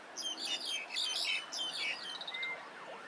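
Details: Grey-capped greenfinch calling in Hong Kong: busy, high twittering chirps and short buzzy trills in overlapping bursts, then a few thin, clear whistled notes and softer chatter toward the end.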